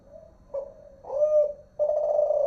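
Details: Spotted dove, locally terkukur or derkuku, singing the Kelantan-style voice from Malaysia: low hollow coos, a short note, then a rising-falling croo and a long wavering drawn-out coo, clear and close with a quiet background.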